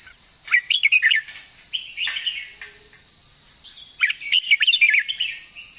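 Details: Red-whiskered bulbul singing its long song in two lively phrases of tumbling, slurred whistles about three seconds apart, with softer linking notes and a constant cricket-like buzz behind.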